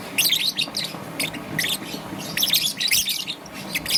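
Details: Green and yellow young peach-faced lovebird chirping in the morning, dense raspy high chatter in overlapping bursts almost without pause, faint low noise behind.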